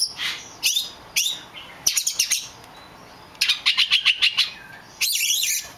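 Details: A rare black-plumaged magpie-robin gives bright, high chirps and short bursts, including a quick run of about seven clipped notes, with faint background hiss.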